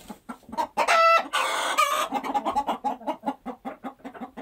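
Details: Hens squawk loudly in a harsh, ringing burst, then settle into a steady run of soft, evenly spaced clucks.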